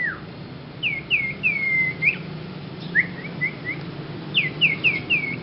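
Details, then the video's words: Young Sirpu with an odd song: series of clear downslurred whistles in short runs of three or four, a brief pause, then more whistled slurs, over a faint low hum. "Kicau Burung Sirpu pemula Bersuara Aneh"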